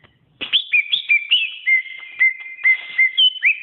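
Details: Pet-bird training recording of a greater green leafbird (cucak ijo): after a short silence, clear whistles begin, mixing upswept and downslurred notes with evenly spaced, ringing slurs.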